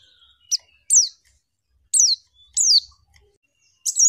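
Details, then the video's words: Female white-eye in a masteran recording giving scattered single calls: sharp, high chirps sweeping downward, spaced roughly half a second to a second apart, with quiet between them. "MASTERAN PLECI LANGSUNG BUKA PARUH"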